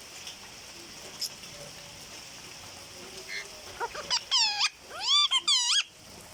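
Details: Pet parrot said to speak the word "Didi". Quiet background hiss for four seconds, then a burst of loud, harmonic, voice-like syllables that bend downward and rise again, given in two quick groups near the end.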